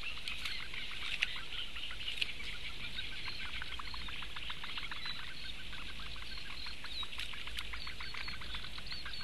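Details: Begging for food by four small Eurasian bittern chicks, recorded 16 May 2017: rapid, evenly repeated short chirps running in long series, several callers overlapping, over a low background hum.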